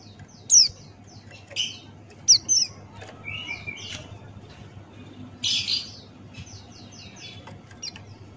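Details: Buxtoni white-eye male in ngalas style, tutor recording: scattered high, falling whistled notes and a brief rough burst, set against a steady low hum and noise.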